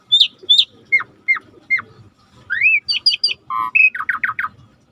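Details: Starling singing actively, recorded as a master song for training other birds: a varied run of loud whistled notes, paired high chirps, sharp downslurred whistles, a rising slur, then quick repeated trilled notes, with faint low background rumble.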